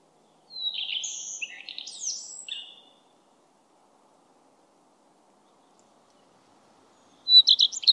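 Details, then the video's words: Common redstart song: a high, sweet opening note into a quick jumbled twittering phrase, then a second phrase begins after a four-second pause. "Common Redstart"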